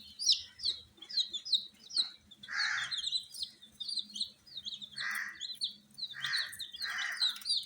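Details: Coloured baby chicken chicks kept under heat in captivity, giving rapid high downward-slurred peeps in dense overlapping runs, broken by several short, louder, harsher rasping bursts.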